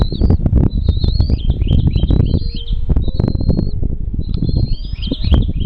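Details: Wild bald eagle nest with young: high piping whistles that rise and fall in quick strings, with brief pauses, half-buried under loud low buffeting rumble throughout.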